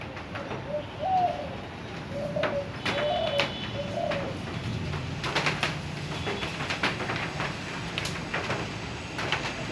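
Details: Spotted dove calling for its mate during a sudden change to cool weather: soft, low coos in a short phrased series over the first four seconds, then clicks and light background noise.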